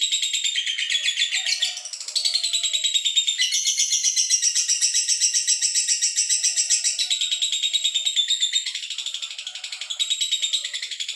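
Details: Male lovebird giving a long, dense, high-pitched chatter of rapid buzzy trills and squeaky notes, repeated several times per second with brief shifts in intensity, continuing almost without pause.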